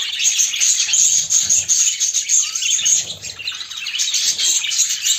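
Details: Budgerigars, a female making mating movements toward a male. A continuous high, buzzy, scratchy warbling chatter swells and fades throughout, with no pauses.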